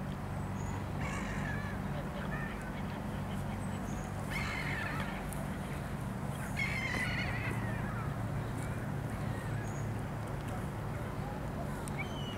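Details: Black-headed gulls calling, recorded 12 March 2022: several hoarse, grating calls spaced a few seconds apart, some fainter and distant, set against constant low rumbling background noise.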